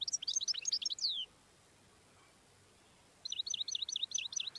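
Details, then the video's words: Wild European goldfinch song: a rushed jumble of high twittering and slurred notes ending in a falling sweep, then after a pause a rhythmic run of repeated bright chirps. "تغريد الحسون الخلوي"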